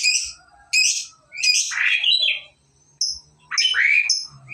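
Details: Lovebird learning to ngekek, its song duration starting to lengthen; harsh buzzy chirps alternate with longer scratchy, descending warbles, separated by brief silences.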